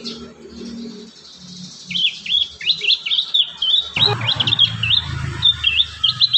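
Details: Young prinia song used as a lure for training: a run of high, quick chirped notes, each bending up and down. Heard over a steady background hiss, with low rumbling noise in the second half.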